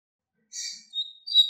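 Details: Double-collared seedeater teaching song for young birds: a short burst of high buzzy notes followed by a thin whistled note and a sharp bright trill.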